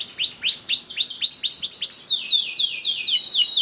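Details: Canary 'gacor' lure song intended to make other canaries sing: arched whistled notes repeated about four times a second, turning into a cascade of quick falling slurs.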